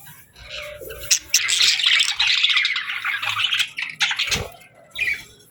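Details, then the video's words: Parakeets chirp softly, with a long continuous stretch of warbling, buzzy chatter and squeaks, then a few isolated chirps as it fades. "Parakeets Chirping Sounds"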